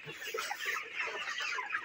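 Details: Broilers at 29 days old on a poultry farm give a constant babble of short clucking and peeping notes, many birds calling together without a break.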